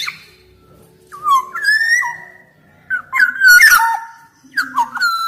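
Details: Black-naped oriole song used as a tutor recording to spur silent birds: mellow whistled notes sliding down, given in short bursts with gaps, one loud harsh rasp in the middle, ending in fluty descending whistles.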